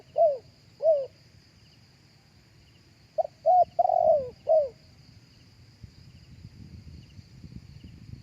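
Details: Live cooing of a spotted dove, meant for playback through a speaker to lure doves: two soft separate coos, then a phrase of clipped notes with a drawn-out falling coo, over a faint constant high-pitched hum.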